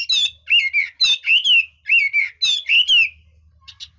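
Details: Chinese hwamei singing with switching voice: five loud whistled phrases in four seconds, each a sharp chip followed by a falling or wavering slur, ending with two soft high notes over a faint hum.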